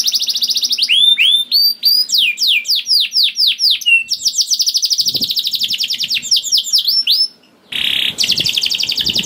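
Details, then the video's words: {'caption': 'Canary singing as a trigger for other canaries: a steady trill, then rapidly repeated down-slurred whistles and long fast rolls, a short gap, and a harsh buzzy burst before the trill resumes.'} "PANCINGAN KENARI GACOR DOR NGEREK PANJANG INI AMPUH BIKIN KENARI LAIN BUNYI"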